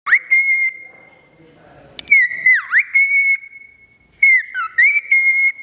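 A cockatiel gives clear, sustained whistles with quick downward and upward swoops, in three phrases.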